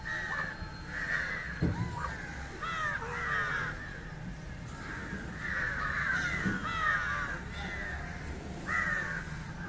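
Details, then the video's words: Corvus culminatus, the Indian jungle crow, feeding on fish: repeated coarse caws in clusters, some sliding downward, over a low murmuring background. "Indian Jungle crow (Corvus culminatus) Call and behavior feeding on Fish"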